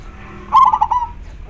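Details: Local zebra dove, a prolific singer with a clear, big voice, used as a lure: a single loud cooing phrase opening on a strong held note, then several quick stuttered notes and a softer trailing coo.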